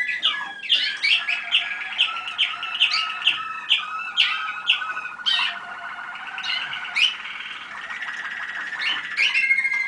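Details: Waterslager (Malinois) canaries hatched in 2010, recorded at a listening session on 25 November 2010: lively song of rapid bright notes and rolling trills, varied tours flowing one into another over a steady warbling base.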